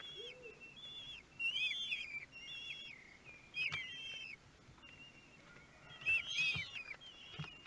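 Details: Begging of young kestrels at a nest in Théding, France, thirteenth day, 5 June 2022, while being fed: high, wavering squealed whistles in bursts, with short louder clatters between and a faint low note at the start.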